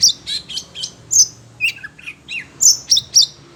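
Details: Agitated caged Oriental magpie-robin reacting to other birds' sounds, delivering about a dozen loud, separate high chirps and slurred whistles, some dipping downward, at a quick uneven pace.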